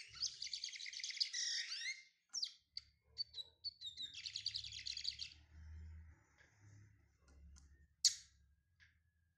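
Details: Brown (pardo) Lined Seedeater warming up: two bursts of quick, buzzy high trills separated by scattered single chirps, with a sharp loud note near the end and faint low background rumble.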